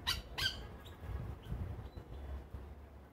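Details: A Yellow Oriole, known locally as the plantain bird, at a bird feeder in Trinidad in the evening gives two harsh, raspy squawks in quick succession, then a few faint, thin high notes over a low background rumble.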